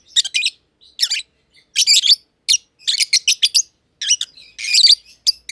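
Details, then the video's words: Two lovebirds, a green personata and a green pied personata, kept together in an aviary, chirping: sharp, harsh high chirps in quick bursts and short clusters, separated by brief silences, continuing throughout. "Lovebird Chirping Sounds - Green Personata & Green Pied Personata"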